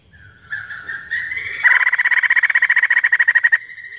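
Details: Crested laughingthrush singing, used as a lure to provoke other birds to sing: rising whistled notes lead into a fast, loud, pulsing trill of rapid repeated notes lasting about two seconds, then a steady held whistle.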